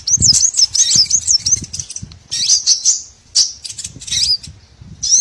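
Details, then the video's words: Small birds giving high, sharp chirps in quick runs, then short pauses and further bursts of looping whistles; used as a lure for trapping any small bird species. "BURCIL COCOK UNTUK PIKAT SEGALA JENIS BURUNG KECIL"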